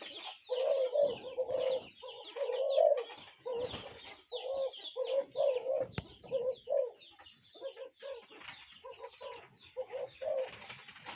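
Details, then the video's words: Cuckoo calling in nature: a steady series of low, paired hooting notes repeated through the stretch, over a busy background of higher chirping from other birds. "Relaxing Cuckoo Bird Sound in Nature"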